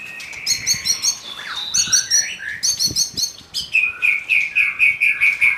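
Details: Young wild white-rumped shama from the forest singing loudly: rapid, varied high whistled phrases and sharp chirps, some clusters repeating about once a second, with faint low knocks in the background.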